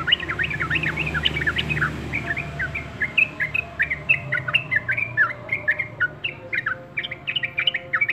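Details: Yellow-vented bulbul singing busily: a fast stream of short chirping notes, many sliding up or down, packed densely at first and then spaced into quick bright clusters, over a low steady background hum.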